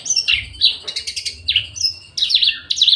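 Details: Caged Javan bush lark in breeding condition, eager to mate and increasingly aggressive; quick bursts of high sweeping chirps and buzzy trills, separated by brief gaps, over a faint low background hum.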